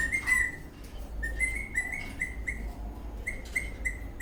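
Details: Eastern rosella parrot in a happy mood while dancing, chirping in a quick series of short, slightly rising high notes repeated several times a second, with a steady low hum behind.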